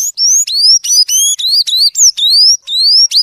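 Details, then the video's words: Blue or sayaca tanager song: rapid high squeaky notes, each sliding sharply upward, delivered in a near-continuous twittering stream with brief gaps between phrases. "senhaço azul cantador canta muito bonito"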